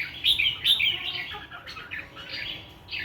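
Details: A wild-voiced songbird sings in the morning: two sharp bright high notes, then a rapid run of twittering, warbling notes that gradually fade, with a final chirp.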